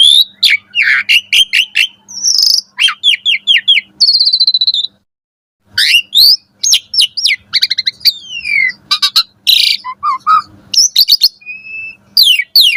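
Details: Varied morning song of an Asian pied starling, used as training material for caged birds: dense chattering, rapid clicks and trills, whistled slides and harsh notes, with a brief silent gap midway.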